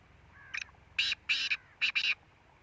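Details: Grating, buzzy calls of a black francolin: a brief opening note, then a pair of long harsh rasps, then a closely spaced double, over a quiet background.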